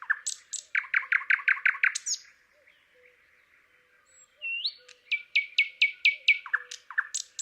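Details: In Palupõhja, Estonia, a thrush nightingale sings a burst of about ten fast, chopping notes, falls quiet with faint clicks, then resumes with rising whistles and a string of loud, descending notes.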